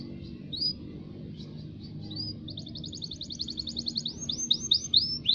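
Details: Local canary singing quietly: scattered high thin notes give way to a fast buzzy trill, then a run of loud swooping downslurred whistles, with low background rumble.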